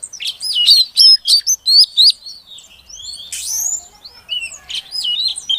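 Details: Female oriental magpie-robin calling to prompt a silent male to sing: a run of loud whistled, slurred notes near the start repeated about three times a second, then softer varied chirps and twitters.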